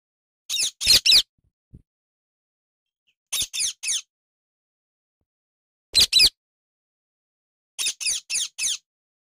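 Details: Indian ringneck parakeet, described as a happy bird, possibly one of a pair, giving short bursts of high, harsh chirps in clusters of two to four, separated by silences of about two seconds.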